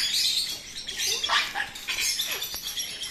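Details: Harsh, grating parrot squawks in quick, uneven bursts with a few short, lower honking notes mixed in, as a grey parrot fights with an Alexandrine parrot.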